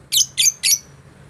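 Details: Lovebird calls used to lure a rival and make a bird sing: three quick, harsh, high squawks in just over a second, each bright and shrill, over a low hum.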